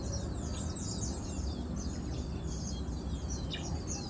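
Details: Chestnut Munias feeding, recorded 7 August 2022, give thin, high peeps and chirps that overlap throughout, over a steady low rumble of background noise.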